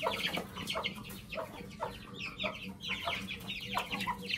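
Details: Two white aseel heera hens sharing one wheat nest while hatching golden buff eggs without an incubator; bursts of high chick peeps alternate with soft clucking notes, slight background hum.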